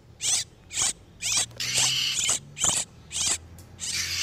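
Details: Oriental magpie-robins in breeding condition, male and female, in a lure recording for catching wild birds: loud scratchy rasping notes repeated about every half second with short gaps.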